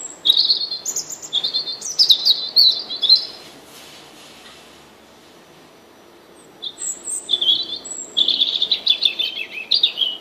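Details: European robin singing: two bursts of high, thin, tumbling warbled phrases, some twittery and some sharply whistled, separated by a quiet pause of about three seconds.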